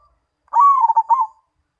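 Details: Zebra dove, perkutut of the Mojopahit type, giving one short cooing phrase: a low, mellow coo broken into several quick stuttered beats, ending in a soft trailing note, with silence around it.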